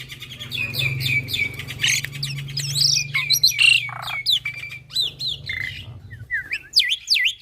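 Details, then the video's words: Young black-winged myna in full song: a dense, varied stream of whistles, squeaks, harsh notes and rising and falling slurs, over a steady low background hum. "Masteran Burung Jalak Putih Full Isian - Jalak Putih Muda GAcor"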